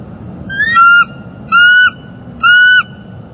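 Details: Morning calls from a mating pair of bald eagles in northeast Florida, October 2021, picked up by a live nest camera; three long clear whistles, each rising slightly then falling at the end, spaced roughly a second apart, steady low rumble beneath.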